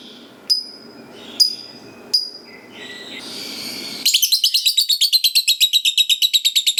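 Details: Fighter lovebird ngekek panjang, a lure for other lovebirds to reply: three sharp high chips and a squeaky phrase, then a rapid harsh chattering trill of evenly repeated notes continuing to the end.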